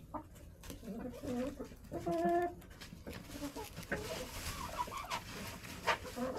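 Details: Backyard chickens in a cold, snowy January coop: soft low clucks, then a louder harmonic cackle, followed by scattered quieter clucks over shuffling and scratching noises.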